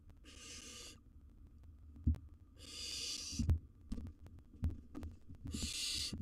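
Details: Young wild barn owl at its nest box, dealing with a massive gerbil; three drawn-out breathy hisses spaced a couple of seconds apart, with sharp taps and low thuds from the box floor.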